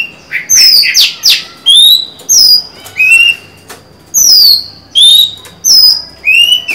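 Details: Female white-rumped shama singing to lure a male into song, recorded 23 July 2020; loud clear whistled notes, some rising, some falling, in separate phrases about every half second, with a few harsh buzzy notes early on.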